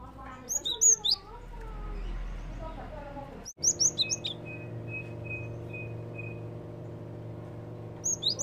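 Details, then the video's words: Java sparrow lure calls: bursts of sharp, high chirps at the start, middle and end, while a person talks in the first seconds and a thin steady tone repeats in the background. "PANCINGAN BUNYI BURUNG GELATIK"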